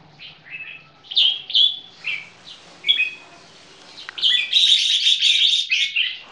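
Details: Caged crossbred red-whiskered bulbuls from a champion bloodline, two young males sung against each other in display: short bright whistled phrases, rising and falling, in separate bursts, then a loud run of rapid chattering notes near the end.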